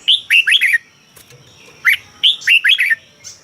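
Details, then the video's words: Cage-kept Red-whiskered bulbul in Thailand singing to stir up other birds: two quick, lilting phrases of bright chirped whistles, each under a second, separated by a one-second gap. "เสียงนกกรงหัวจุก สำหรับต่อ หรือ เปิดให้นกคึก เสียงเพราะๆ"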